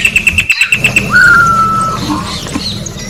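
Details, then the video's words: Orange-backed troupial song in a natural setting: a rapid series of sharp ticks followed by one long pure whistle that jumps up and then glides gently downward, with faint background hum. "Corrupião Cantando na Natureza melhor canto pra encarte Corrupião"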